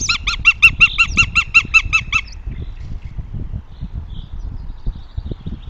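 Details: At a nest in Tartu, Estonia, 2 June 2025, a northern goshawk gives a rapid run of about twelve harsh, cackling kek notes over two seconds, then falls silent, leaving low rumbling background noise.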